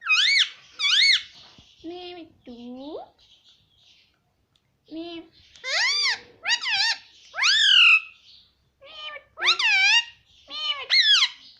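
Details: Pet Indian ringneck parakeet chattering in a quiet room: a long string of shrill, harmonic, word-like syllables with sweeping pitch, a few lower, drawn-out upward slides among them, and short pauses between bursts.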